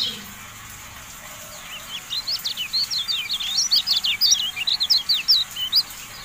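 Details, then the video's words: Javan white-eye song used as a training recording for kept birds: after a quiet start, a fast run of short, sharp, high twittering notes, slurred up and down, tumbling along for about four seconds. "MASTERAN TERBARU KECIAL KUNING, FULL AUDIO"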